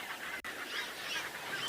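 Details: Egyptian geese chattering at Chitwa dam waterhole in the morning as the wind drops, the sun breaks through cloud and the day warms. A harsh, rasping, continuous stream of overlapping honks, with woodland kingfishers and other birds calling softly.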